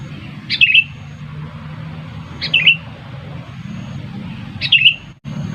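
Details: Sooty-headed bulbul call played to lure birds to a trap: three short, bright chirping bursts, each with a quick flourish, spaced roughly two seconds apart over a low, steady engine-like hum.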